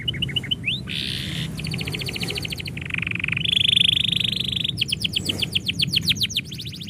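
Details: Canary singing as its owner is about to leave, running through varied phrases: short pips, a buzzy burst, rolled trills, a sustained nasal rattle and finally rapid sweeping notes.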